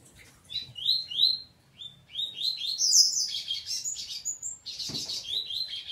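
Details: Double-collared seedeater fighting with its family: rapid high chirped and slurred notes, some rising, tumbling in bursts with brief pauses, with a low thump near the end.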